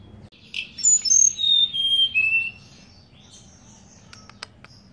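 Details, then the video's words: Hill blue flycatcher in full vigorous song: a two-second burst of bright whistled notes stepping and sliding down in pitch, followed by quieter high thin notes and a few ticks. "BURUNG TELEDE'AN GUNUNG GACOR FUUL"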